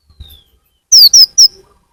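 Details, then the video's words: Sunbird, kolibri ninja in local usage, from a lure recording for attracting birds: three loud, thin, downslurred high notes in quick succession, preceded by a faint whistle. "Pancingan konin paling ampuh full suara pikat burung Kolibri ninja"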